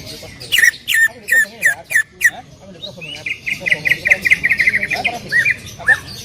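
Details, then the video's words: Greater green leafbird, called cucak ijo, giving a loud 'tembakan' song for a training recording. Six sharp, crackling downslurred whistles lead into a fast chattering trill of level chirps, then a few scattered notes. "cucak ijo gacor full tembakan suara keras"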